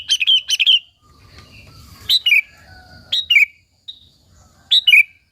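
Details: Sooty-headed bulbul (kutilang) in energetic song aimed at luring and exciting other bulbuls: a quick burst of chattering notes, then sharp descending two-note whistles spaced about a second apart.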